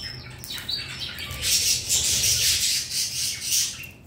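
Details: A pet male red-collared lorikeet, happy with his favourite chew balls and his owner home, gives harsh, shrill screeches and chattering squawks, loudest in the second half, over a faint indoor hum.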